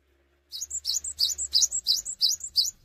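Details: A cinereous tit in full song, perched without jumping, used to encourage other tits to sing; a steady run of seven bright, high phrases, each a rising slur then a piping whistle, over a low background hum.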